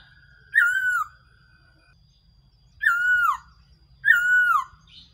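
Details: Black-throated laughingthrush (so-hu bird) decoy call for trapping: three long, loud whistles, each starting high and gliding down before fading, spaced roughly two seconds apart in an otherwise quiet background.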